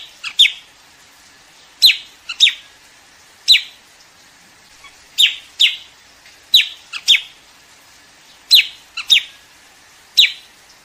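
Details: Flock call of the white-throated fantail, used by trappers as a lure: crisp, high chip notes, single or paired, repeated at irregular intervals of one to two seconds against a quiet background.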